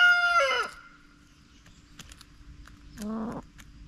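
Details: Backyard chickens: a bright harmonic call that holds level then drops sharply, then after a pause a short rough clucked phrase of stacked notes, with faint clicks between.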